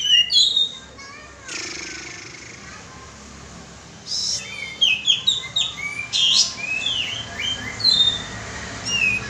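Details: Olive-winged bulbul (kapas tembak) lure call: bright chirped and warbled notes in short bursts, a quiet gap then a busier run of rising and falling whistled phrases, with faint background hiss.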